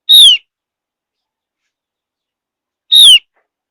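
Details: Two identical high, downward-sliding whistles about three seconds apart from a Javan grey-throated white-eye, a high mountain forest bird whose whistling is said to draw replies from other birds.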